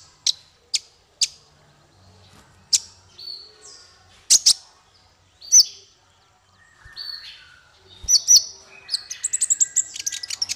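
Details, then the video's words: Male kolibri ninja sunbird, recorded for training songbirds, starting with spaced sharp high chips and short whistles, ending in a fast, dense twittering trill. "Suara konin untuk masteran burung 100%jitu konin jantan"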